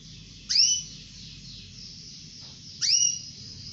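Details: A female canary calls to a male: two sharp rising chirps, about two seconds apart, each a quick upward sweep, with a constant low background hum.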